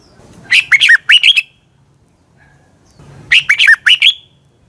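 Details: Red-whiskered bulbul morning song for bird training: two identical phrases of about five quick, bright, looping whistles, separated by nearly two seconds of quiet with low background hum.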